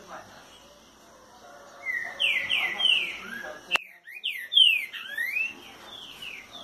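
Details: Green-winged saltator singing the boiadeiro song style at 6:30 on a Thursday morning: loud, clear whistled phrases of sliding, downslurred notes, some rising, after a quiet start with faint background sound and one sharp click midway.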